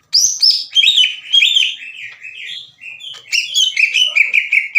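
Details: Aggressive greater green leafbird song aimed at rival leafbirds, loud and ringing: rapid descending whistles and chirps, a brief lull of softer warbling, then another quick run of varied sharp notes.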